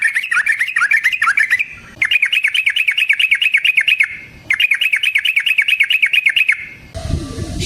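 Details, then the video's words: Yellow-vented bulbul giving a fighting-style rolling song, used as a lure for other bulbuls: three long runs of quick, evenly repeated warbling notes separated by short gaps, ending with a burst of rustling noise. "Suara Burung Trucukan GACOR ROPEL Panjang Ampuh Untuk PANCINGAN TRUCUK"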